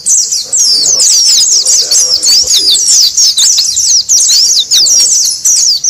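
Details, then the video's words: Oriental white-eyes calling noisily, a recording meant to lure wild birds: an unbroken stream of very high, quick, downslurred chirps and twitters from several birds, with only brief dips over six seconds. "SUARA PIKAT PLECI RIBUT COCOK BUAT PANCINGAN PLECI LIAR"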